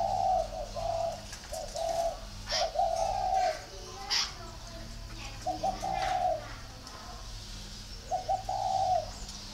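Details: Spotted dove from a dove-keeping garden in Ba Vì, northern Vietnam, giving four mellow coo phrases, each a couple of short clipped notes running into a longer drawn-out coo, with clicks and faint voices behind.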